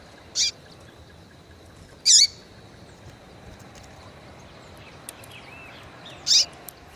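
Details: [1, 'likely', 'call', 'Female yellow-bellied seedeater calling to stimulate males. Three short, sharp, high chip notes come at irregular intervals several seconds apart, with quiet background between them.']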